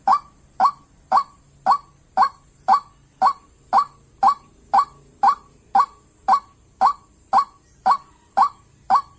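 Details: White-breasted waterhen call used to lure birds into traps: a short, hard, croaking note repeated steadily about twice a second, with an even, mechanical rhythm.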